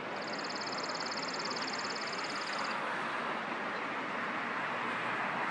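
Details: A chipping sparrow sings one long, dry trill of quick, evenly spaced high notes for about two and a half seconds, then stops, leaving only a continuous heavy background roar.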